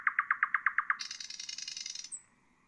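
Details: Nightingale phrase for training songbirds: eight evenly spaced loud notes, then a dense buzzy rattle lasting about a second, ending with a faint high whistle over low background hiss.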